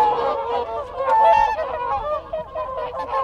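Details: Close group of whooper swans exchanging contact calls, a steady chorus of loud, overlapping trumpeting honks with little pause, and wigeon and Canada geese calling behind them.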